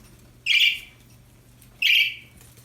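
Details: Happy budgerigars: two loud, harsh, slightly downward-trailing chirps about a second and a half apart, over a quiet steady hum.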